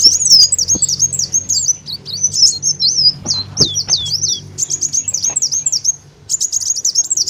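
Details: Olive-backed sunbird lure song for drawing in birds, steady high-pitched twittering of quick rising and falling chirps, with a short gap before a final burst of rapid notes.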